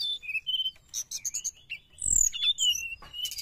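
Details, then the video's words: Sooty-headed bulbul singing energetically, played to attract wild birds: short whistled notes and buzzy chirps, then long descending whistles, with a soft low thump midway. "srdc gacor penarik burung bahan"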